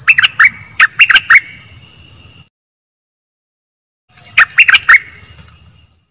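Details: Bulbul kept as a decoy bird, one of three decoys: short bursts of quick, bubbling notes in two clusters separated by silence, over a steady high hiss and low background rumble.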